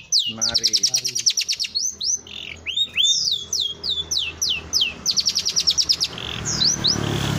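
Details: Long-tailed shrike of the village type singing for a bird-training recording: varied high phrases mixing rapid pulsed trills with looping, downslurred and upswept whistles, repeated in bursts about every second, over quiet low background hum.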